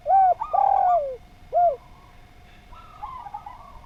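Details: Spotted dove song used as a training recording for other doves: two loud, mellow, downslurred coos, a short third coo, then a fainter, rippling series of softer cooing notes trailing off.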